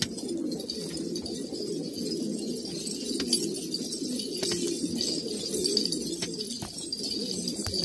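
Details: Old pure-bred pigeons in Kabul, Afghanistan, a flock cooing together in a dense, continuous low murmur of overlapping coos, with a steady high hiss and a few sharp clicks above.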